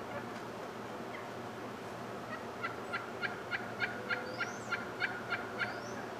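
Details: Displaying male wild turkey among a morning group, with a quiet start followed by an even run of crisp clipped notes, about three per second, plus a faint high whistle overhead.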